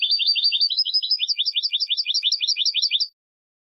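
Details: Goldfinch song made of a steady three-second series of quick, bright two-note chirps repeated about three times a second, ending abruptly into silence.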